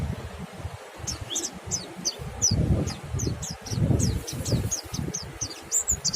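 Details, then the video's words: White-eye in ngalas song, which sets other white-eyes singing: a string of thin, high downward-slurred chirps roughly every half second, partly masked by loud low rumbling and rustling noise. "suara monty NGALAS merangsang monty YANG LAIN IKUT BUNYI"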